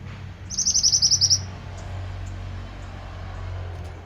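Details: Pied bushchat in vigorous song for bird-tutoring: one quick trill of about eight high, bright notes within a second, followed by several seconds of steady low background hum and a few faint ticks.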